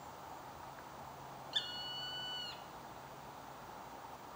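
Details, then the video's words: Northern goshawk calling in Stockholm: a single drawn-out, steady, harsh wailing note about one second long, against a faint background hum. "Ястреб-тетеревятник, голос"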